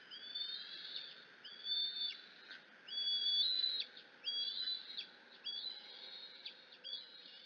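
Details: Excited Bald eagle eaglet in the Decorah nest, calling as its mother comes in on an afternoon visit. Piercing whistled screeches, each drawn out and bending in pitch, repeated roughly every second over steady background hiss.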